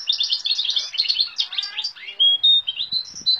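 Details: A Carduelis balcanica × Timbrado canary hybrid (mule) sings a fast, high twittering run of chirps and trills, then a few clear whistled notes and short bursts; its song includes goldfinch, great tit, cirl bunting, nightingale, rock nuthatch and woodlark sounds.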